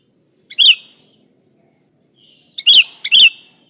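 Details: Bulbul lure recording of a sooty-headed bulbul, original song without added birds: a single bright chirp followed after a gap by two close, liquid notes.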